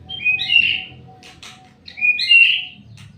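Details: White-rumped shama singing two loud rich whistled phrases about two seconds apart, each a quick upward-sweeping flourish, separated by a short rattling noise and a faint steady hum.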